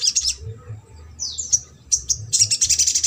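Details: Ruby-cheeked sunbird song in the trotol manner, meant to provoke a lazy, quiet sunbird to sing: piercing high twitters, a thin descending whistle, then a rapid stuttering trill of sharp notes to the end over faint low hum.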